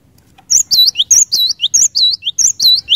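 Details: Cinereous tit singing steadily, said to trigger other cinereous tits into song: loud, clear, high whistled notes in quick paired phrases, repeated about four times a second with little pause.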